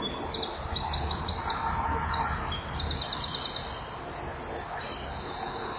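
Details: Common kingfisher female on a breeding-wall camera perch, 9 July 2015 at 09:11, chipping before the male returns to mate; rapid series of shrill, very high, clipped notes in repeated bursts throughout, with low rumbling background.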